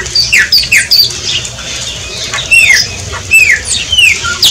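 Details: Shiny cowbird song: sharp descending whistled slurs from high to mid pitch, given in quick pairs, then longer gliding notes with gurgling sputters between, over a soft steady background hiss.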